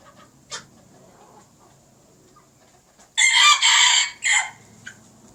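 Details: Old brood red junglefowl crowing with young learners: one loud, harsh, segmented crow after a quiet stretch with a faint low hum and a single short call, the crow ending in a brief separate note.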